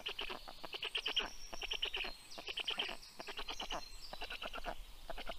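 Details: Black stork at a nest camera in Karula National Park, southern Estonia, 6:06 am on 19 June 2023, as the female arrives with breakfast for the chicks and the male leaves; rapid raspy pulse bursts in stuttering runs, thin songbird notes behind.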